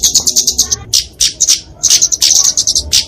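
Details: Flowerpecker (kemade) fighting song, used to train and lure small songbirds: rapid high thin chips and short trills in quick bursts, with brief pauses between phrases.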